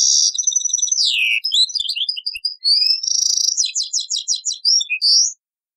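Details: Taqsrayn-style song of a European goldfinch from an old cassette: a buzzy trill sliding downward, scattered sharp chips, a dense nasal buzz, then a quick run of tinkling notes ending in a rising whistle.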